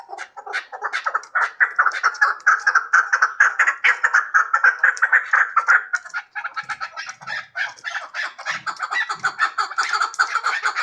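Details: Hybrid chukar partridge calling in fast, throaty chuk-chuk bursts that run together into a churring series, then break into separate clucks with a few faint low knocks.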